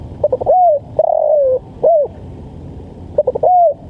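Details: Mellow spotted dove cooing intended for training and luring birds: stammered lead-in notes, an arched coo, a long falling coo and a short rounded coo, then the phrase begins again.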